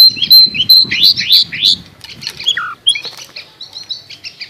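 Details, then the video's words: Long-tailed shrike, presented as a fighter master bird, giving a varied phrase. It opens with a clear whistle, moves into rising slurred chirps, dips to a lower note, then breaks into quick, thin twitters. "MASTER BIRD CHIRPING THE LONG TAILED SHRIKE FULL 30 MINUTES FIGHTER"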